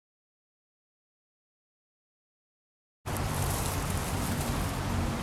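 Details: Three seconds of silence, then steady broadband hiss like rain or passing traffic, heavy in the low end, with no animal calls.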